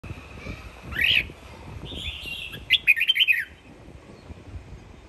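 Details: Home-raised Sông Kon red-whiskered bulbul (chào mào) from Quảng Nam, kept as a fighting bird, sings a loud rising upswept note, then a quick run of bright, warbled notes a second and a half later, over faint low background rumble.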